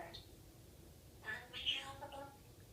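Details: A pet African grey parrot, female, speaks a few short, breathy, high-pitched word-like syllables in quick bursts, with a quiet indoor room hum behind. She also talks, burps and sings a children's song.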